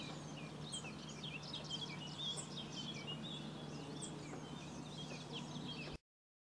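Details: Singing Melodious warbler filmed in Corrèze, France, delivering a fast, continuous babbling stream of varied high chirps, slurred notes and twitters for about six seconds, then abrupt silence; a steady low hum runs underneath.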